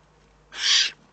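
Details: A single harsh, airy hiss, just under half a second long, from a Eurasian eagle-owl in the Eifel on 3 May 2014, with only a quiet low hum beneath it.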